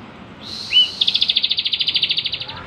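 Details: Bar-winged prinia singing eagerly for songbird tutoring: a short rising whistle, then a rapid, regular pulsed buzzing trill lasting over a second and a half.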